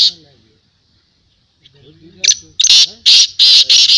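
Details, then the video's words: A black francolin (kala teetar) at a 2022 teetar voice tournament gives loud, harsh, grating notes in quick bursts of about three a second; faint human voices come before the calling. "Black teetar voice tournament Black Francolin voice"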